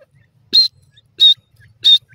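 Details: Grey francolin playing with its chick: three shrill, high, piping notes spaced roughly 0.65 seconds apart, with soft, faint lower twittering between them.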